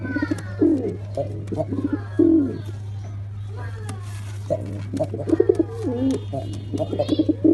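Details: Black pigeon giving low wavering coos among several overlapping birds, with clicks and a constant low hum underneath.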